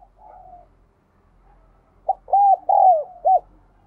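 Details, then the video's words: After a soft drawn-out coo, a spotted dove delivers its loud four-note phrase: a short lead note, two arched coos, and a quick ending note. "Tiếng cu gáy"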